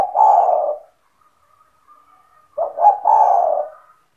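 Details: Kept spotted dove in lively 'gacor' form, owned by the recordist and calling to lure other doves into singing: a long, low, hoarse coo tails off, then after a pause two short notes lead into another drawn-out purring coo.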